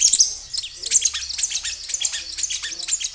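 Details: Kinoi in natural surroundings, singing intensely, recorded as a lure to prompt other kinoi to answer: continuous dense high twittering of quick sharp chirps and short falling notes with barely a pause.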